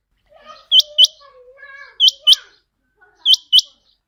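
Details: Lure call for trapping quail: three pairs of sharp, high, upswept notes, spaced a little over a second apart, over softer wavering chirps and warbles from other birds in the background.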